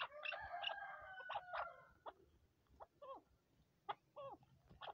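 Chukar giving harsh, clucking chuk notes in a loose series, about three or four a second, after an opening burst of louder overlapping calls.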